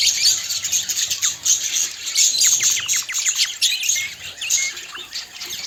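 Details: Singing budgerigars kept as pets: a steady stream of high chirps, squawky notes and short downward-sweeping whistles, busy and overlapping throughout.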